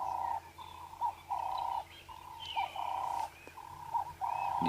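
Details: Ring-necked dove calling from a perch at sunrise in August, throat puffing as it calls: steady, mellow mid-pitched coos in short phrases, repeated about every second, with faint higher chirps from other birds behind.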